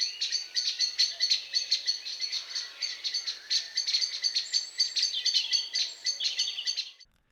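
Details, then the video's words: Common blackbird (Turdus merula) frantic alarm, the pink-pink or rattling chatter given when startled: sharp, high notes tumble out several times a second without a break for about seven seconds. "The blackbird is famous for its frantic pink pink alarm"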